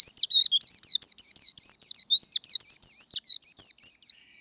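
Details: Vietnamese 'khuyên líu' fighting song of a Japanese white-eye: a fast, continuous chatter of sharp, twisting high notes for about four seconds, ending in a faint steady whine.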